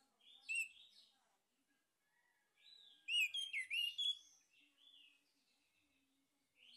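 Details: Male orange-headed thrush singing, played as a lure to stimulate other birds: a short whistled burst, then a longer jumble of loud rolling, slurred notes fading into soft warbling, with quiet pauses.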